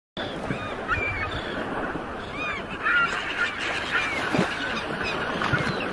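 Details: Several gulls give short, arched, mewing calls that overlap, on the sea route to Saint Martin (Narikel Jinjira) island, against steady engine rumble, wind and water noise.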